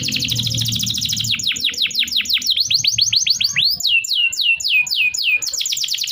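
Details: Canary singing as a lure for canaries that stopped singing: a fast high trill, then a long series of steep descending whistled sweeps about three to four per second, ending in quick rolling notes; faint low hum at start.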